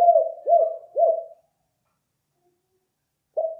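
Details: Spotted dove call used as a lure: three low, hooked cooing notes about half a second apart, a silent pause, then another coo begins.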